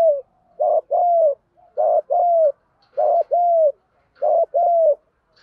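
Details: Lure spotted dove giving a rousing coo series meant to provoke wild males: regular two-part coos, a brief clipped note followed by a drawn-out, slightly descending one, roughly four pairs in quick succession.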